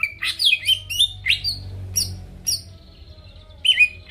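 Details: Greater green leafbird song meant to rouse rival birds: several loud slurred whistles, some rising, then a pause and a final whistled pair over a faint low hum.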